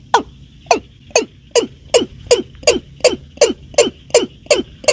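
A Watercock gives a steady series of hollow, downward-sliding notes, nearly three per second, over a thin, constant high whine in the background.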